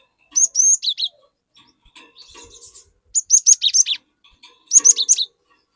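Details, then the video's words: Cinereous tit in lively song, played to lure untrained glatik into loud singing; three bursts of high piercing whistles mixed with lower slurred notes, separated by brief gaps with faint chatter. "Burung Glatik Gacor Memancing Glatik Bahan Agar Ikutan Gacor Ngeplong"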